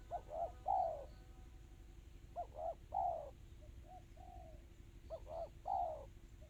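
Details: Fast crystal-style spotted dove song: repeated phrases of two or three short coos leading into a louder, falling coo, with a softer coo between phrases and a steady low background tone.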